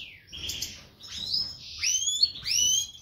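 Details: Song of a European goldfinch, Major type, brown white-head split isabel pastel bred from isabel pastel parents: liquid, tinkling phrases of slurred whistles and sweeping upward notes, run together almost without a break.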